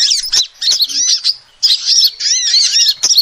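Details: Female sunbird calling, a lure recording: two quick bursts of shrill, slurred chirps and squeaky twitters, split by a half-second pause, with faint clicks.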